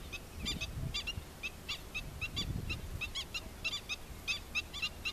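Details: Adult black-winged stilt with chicks, giving a rapid series of short, sharp, harsh yelping notes, about fifteen in five seconds, with low rumbling wind or handling noise underneath.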